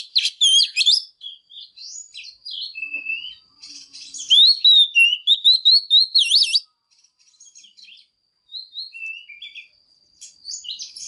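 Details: Female Oriental magpie-robin singing strongly to provoke male birds: a varied, fast medley of whistles, slurred upsweeps and scratchy notes, pausing briefly before resuming with softer fragments.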